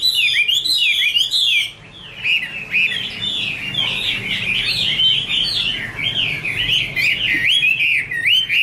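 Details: Female Chinese hwamei singing in 'te' fashion against a background male: rich, wavering whistled phrases with sharp upward flicks, one brief break near two seconds, then continuous rolling whistles.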